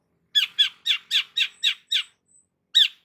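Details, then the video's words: Long-tailed shrike in full vigorous song, used as a lure to stir a stressed shrike into singing: eight harsh, raspy squawks in a quick, slightly uneven series, then a pause and one more squawk; quiet background. "BURUNG CENDET GACOR PALING AMPUH UNTUK PANCINGAN CENDET STRES"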